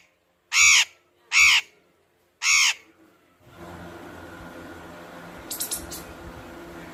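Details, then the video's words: Parrot giving three harsh, grating squawks in quick succession. A steady hiss of background noise follows, with a brief high rattle near the end. "Parrot talking"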